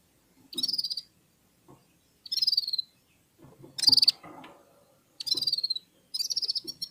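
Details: Red-fronted serin warming up its song among other finches: short high twittering bursts with a falling, slurred phrase, repeated about every one and a half seconds with quiet gaps between.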